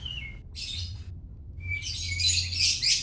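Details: White-rumped shama from Medan: a short fragment with a falling whistled note, a high buzzy burst, then a brief clear whistle and a dense run of harsh, scratchy high notes, with a low hum underneath.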